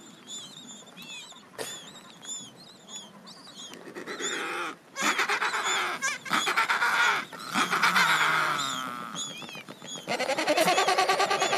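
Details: Adélie penguins in a crowded colony late in summer, as young birds lose their remaining chick down before their first swim. Thin, high chirps are followed by swelling harsh, throbbing brays that build into a loud overlapping chorus.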